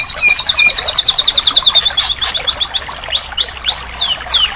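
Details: Therapy recording of white-rumped shama song for a bird that stopped singing: a quick trill of about twenty notes, then four or five separate upswept whistles repeated with short gaps.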